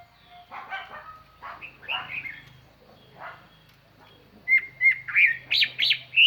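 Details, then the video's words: Chinese hwamei used as a decoy, singing clearly and far-carrying to draw in wild birds. Scattered soft notes and rustling lead into a run of loud, bright whistles and rising slurs toward the end. "tiêng chim hoa mi mồi hót"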